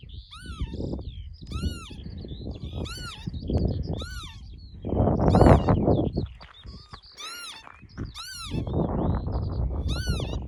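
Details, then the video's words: A mating pair of northern lapwings on Barden Moor near Skipton in June give wheezy, arching rising-then-falling 'pee-wit' calls, about eight in ten seconds, over steady low wind rumble. "The Incredible sound of a mating pair of Lapwings"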